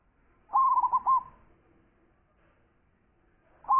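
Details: One brief rippling coo phrase of four or five quick hooked notes from a zebra dove, followed by quiet and the start of a second phrase at the end.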